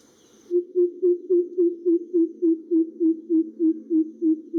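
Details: Greater Coucal (Centropus sinensis) in a garden in western Thailand, giving a deep, hollow, resonant series of about sixteen evenly spaced booming hoots, roughly four per second and steady in pitch, after a brief faint high hiss at the start.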